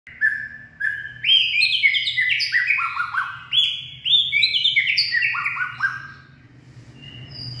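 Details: White-rumped shama, described as purebred, singing in the late afternoon on 18 February 2024: loud, clear whistled phrases, each a quick run of notes stepping downward, repeated roughly twice a second, trailing off into quiet at the end.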